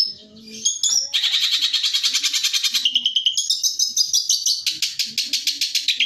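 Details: Training song of a long-tailed shrike, 'tembakan' style: after a few opening notes, a long buzzy rapid trill runs on, shifting pitch, with faint low sounds behind.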